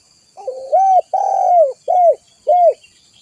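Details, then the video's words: Spotted dove (tekukur) vigorously cooing, recorded for luring and tutoring birds: a soft rolled opening, a long drawn-out coo, then two shorter arched coos evenly spaced, against a clean, quiet background. "Suara burung tekukur gacor buat Pikatan masteran suara burung tekukur gacor"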